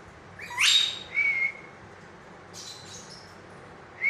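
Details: Ring-necked parakeet, said to be talking, gives a loud rough rising screech followed by a clear level whistle. Softer chirps follow after a pause, and another whistle begins at the very end.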